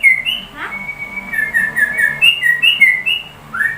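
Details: Sooty-headed bulbul singing like a white-rumped shama: clear whistled notes around a steady high pitch, a long held whistle, then short rising and falling phrases with a final upswept note.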